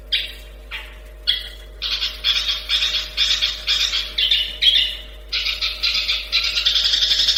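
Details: Long-tailed shrike producing loud raspy, buzzy notes: a few spaced squawks, then a faster string of harsh grating bursts, about two per second, over a steady low hum.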